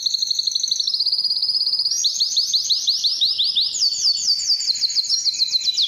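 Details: Singing canary used for training and to stir females to mate: a steady high trill that shifts into a slower series of rising notes, then a faster, higher rolling tour.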